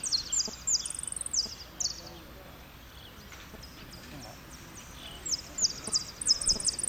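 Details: Contest saffron finch in Merlo, third-placed repique singer, 03/01/2016. Rapid high trills and clipped falling notes open the phrase, a quiet gap follows, then a dense closing run of sharp repeated notes over faint background voices.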